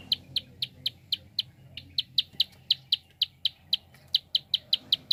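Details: Rapid click call of a prinia, used to stir other birds to sing: sharp ticking notes in quick runs, roughly four per second, with a short pause early on before the clicking resumes steadily.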